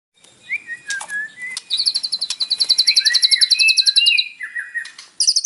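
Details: White-rumped shama (murai batu) singing with mimicked fills, played in the morning as a lure to make a captive bird sing. Short whistled notes and falling slurs lead into a long, rapid trill of about twenty high repeated notes, then lower looping phrases.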